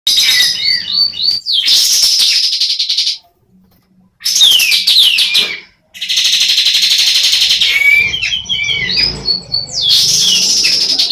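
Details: Female sooty-headed bulbul, semi in breeding condition, giving loud, harsh, buzzy chattering bursts with quick falling and rising slurred notes, broken by about two short silences.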